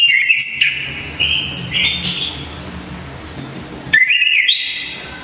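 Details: Orange-headed thrush from Java with a sharp, loud song used to tutor songbirds: sweet wavering whistles, a long softer stretch, then a bright burst of looping notes rising to a high squeak.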